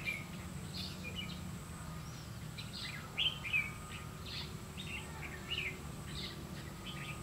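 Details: Red-whiskered bulbul used as a decoy in trapping, recorded 30 May 2016 in the 'lăng săng ché-cánh' style. Short bright chirped and warbled notes come in a quick, uneven series over a steady low rumble of background noise.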